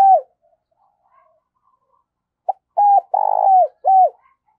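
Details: Spotted dove kept as a decoy, giving driving and calling coos to stimulate and train other birds: a brief opening note, quiet gap, then a short blip, a level coo, a long buzzy vibrating coo and a final coo.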